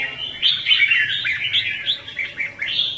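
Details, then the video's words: Red-whiskered bulbul decoy song of the 'ché' and 'xòe' type, used for trapping and training birds to sing. A continuous, fluid warble of quick rising and falling whistled notes flows without a break. "Chào mào Luyện giọng | Hót Ché - Xòe hay Đỉnh cao từ trước tới nay , Bẫy đấu Chim Chào mào"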